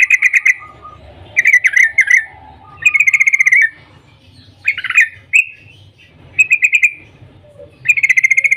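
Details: Morning 'cuk cuk' rapid-fire calling of a yellow-vented bulbul, meant to prompt other bulbuls to sing: repeated short bursts of quick, buzzy-bright pulsed chatter separated by brief pauses, faint low hum beneath.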